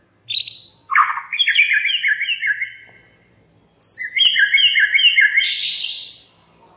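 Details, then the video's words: Lure song of a white-rumped shama to make other shamas join in: two long rolling whistled phrases with wavering pitch, each introduced by high sharp notes, the second ending in a harsh high burst. "murai batu MANA SAJA Bakalan ikutan RAME dan BUKA PARUH dengan pancingan ini"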